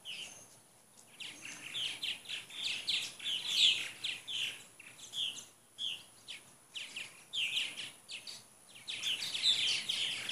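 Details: A flock of about 75 purple martins in Katy, Texas, on a 2014 morning, shortly before migrating back to Brazil, chatter in a steady stream of gurgling, croaking chirps in overlapping bursts, over a thin high hiss.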